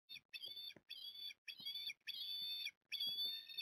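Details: Osprey nest at Port Lincoln on 9 October 2021, recorded by a live nest camera during a big feed for three growing young: repeated drawn-out, harsh whistled squeals, each about half a second long, coming in a steady string with brief gaps.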